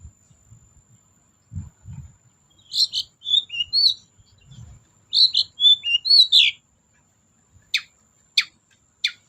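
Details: Long-tailed shrike lure song aimed at getting quiet shrikes to sing: two groups of chattering, squeaky notes separated by a pause, followed by three sharp, evenly spaced clicks.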